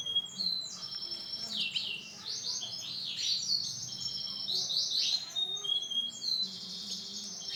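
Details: Male canary of orange and black colour variety delivers a continuous rapid high-pitched song of varied trills, buzzy rolls and bright whistled notes, loud and steady throughout.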